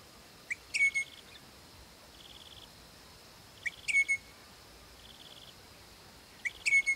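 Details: A pair of Crimson Rosellas living on a property, calling their young ones: clear, ringing whistled phrases of a few notes, repeated about every three seconds, with soft pulsed insect trills running underneath between calls.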